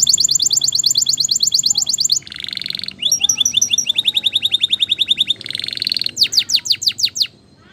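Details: Spanish Timbrado canary singing a training song. Fast high trills alternate with short buzzy rattles, and a run of upward-sweeping whistled notes switches to new tours every second or two.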